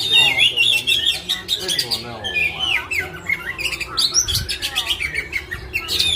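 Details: Oriental magpie-robin, a kept songbird from Indonesian songbird hobby circles, singing a rich, varied song of whistled phrases, rapid high trills and sharp chirps; a low background hum and faint voices underneath.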